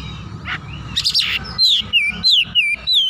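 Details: Oriental magpie-robin singing in a heated, excited state with its repertoire on display. A rasping burst leads into loud, sliding whistled phrases about every half second, over a low background rumble.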